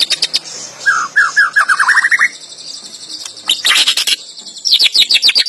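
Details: White-rumped shama, a captive songbird kept by bird hobbyists and able to mimic other birds' songs, delivering a varied song: a rapid rising trill of slurred notes, sharp chips, then a burst of fast high descending notes.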